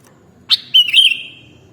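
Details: Sooty-headed bulbul song used to prompt kept birds to answer and sing: a short sharp whistled note, then a longer warbling whistle that wavers and fades over about a second, against quiet background.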